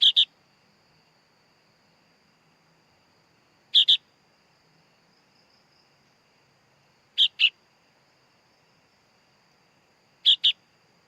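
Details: Baby sooty-headed bulbul giving four paired harsh chirps about three seconds apart, with a faint steady high whine behind.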